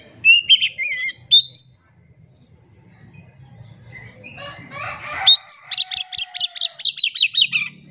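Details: Oriental magpie-robin song used as a lure so silent birds start singing: looping whistled phrases at the start, a muffled pause, then a fast run of about a dozen sharp repeated high notes.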